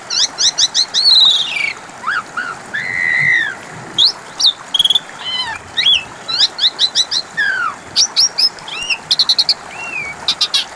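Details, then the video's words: Long Asian pied starling phrase used to prompt a reply from a quiet bird: fast twittering notes, a mellow arched whistle, clicking bursts and a run of quick repeated chips. "Pancingan suara burung jalak suren macet bunyi"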